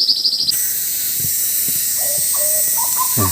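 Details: Hooded butcherbird, a black-and-white bird that is probably an escaped captive, singing loudly and melodiously at a pigeon hide in Sulawesi forest, Indonesia. A faint opening tick series gives way to clear mid-pitched fluted whistles, some level, some slurred, over steady hiss.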